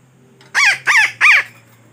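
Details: Parakeet (betet) lure call used to attract birds for trapping: three loud, harsh, arched squawks in quick succession, each rising then falling, with a low steady hum underneath.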